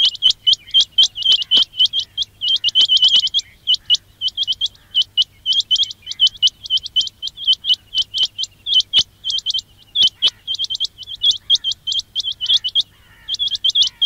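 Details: Quail lure call for trapping: dense runs of sharp, high chirps with upturned tips, nearly continuous with short pauses, above a steady faint low hum.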